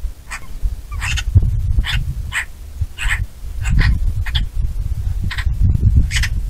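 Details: Bonelli's eagle calling: a run of brief, harsh yelps repeated roughly every half second to second, some doubled, with gusty wind noise rumbling underneath throughout.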